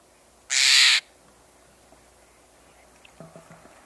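Steller's Jay gives a single loud, harsh, rasping note lasting about half a second, followed by faint low sounds and quiet background hiss.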